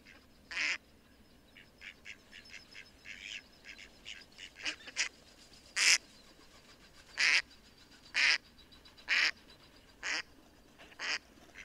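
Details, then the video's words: Mallard giving loud, harsh quacks about once a second, with softer, shorter quacks filling the gaps between them. "Mallard Duck | Chirping Singing Birds"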